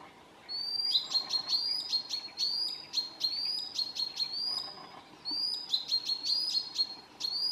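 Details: Common sandpiper alarm calls near its nest at midsummer, Southern Savonia, Finland: thin high piping notes in quick runs, several a second, in two bursts with a short pause between.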